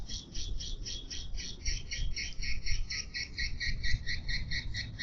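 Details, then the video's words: Swiftlet lure call played to attract birds: a steady stream of short, bright chirps repeated several times per second, evenly spaced, over a low rumbling background hum. "Suara Gratis Pecah Rekor Dalam Memanggil Burung Walet"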